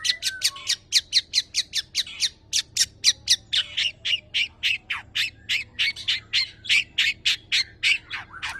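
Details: Tame long-tailed shrike in strong, full song rich in mimicked phrases, used to prompt other birds to sing: rapid harsh chattering notes, about four per second, with scattered whistles and squawks.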